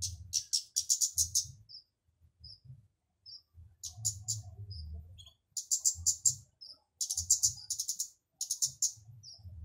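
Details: Loud flowerpecker (kemade, burung cabai) song meant to draw other flowerpeckers into singing: fast bursts of very high, sharp ticking notes broken by single thin high chips and short pauses, low hum in the background.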